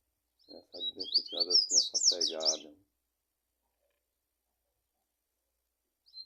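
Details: A 'pura fibra' Rusty-collared seedeater sings a fast, high, warbled phrase of sweeping chirps lasting about two seconds, with a man's Portuguese speech over it, then silence and a faint final note.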